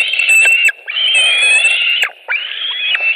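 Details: White-tailed eagles at a nest in Latvia on 5 July 2018, during a food delivery at 21:05 in the evening: long, thin, drawn-out squealing notes, each lasting about a second, with a brief drop in pitch at the end and short pauses between.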